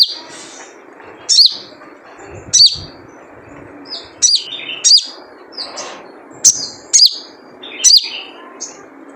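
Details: Characteristic call of a wild sunbird (sogon) used as a lure: about nine bright, high chirps, each dropping into a short slurred whistle, repeated every second or so, some in pairs, over a faint constant low hum.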